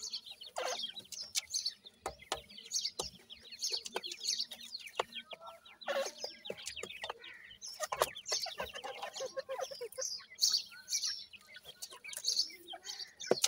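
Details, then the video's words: A brood of Dakhni teetar and Desi teetar chicks kept in captivity peep continuously while feeding: thin descending notes overlapping throughout, with frequent clicks and rustling. "dakhni teetar and desi teetar chicks feeding"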